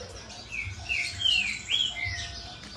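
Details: Male black-throated mango, held in the hand during the hot season just before release, giving about five thin, high chirps, some slurred up or down, spaced irregularly over two seconds against a soft background hiss.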